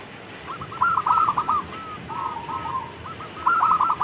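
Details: During rain, a local zebra dove delivers its cooing song: two loud bursts of quick, rolling, warbled coos separated by softer trailing notes, all over a steady background hiss of falling rain.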